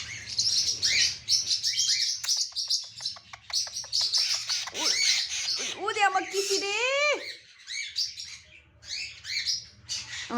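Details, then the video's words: Ring-necked parakeet kept as a pet, chattering with rapid clicking chirps, then a string of wavering warbled whistles, followed by scattered squawks and speech-like sounds nearby. "#talking #ringneckparrot"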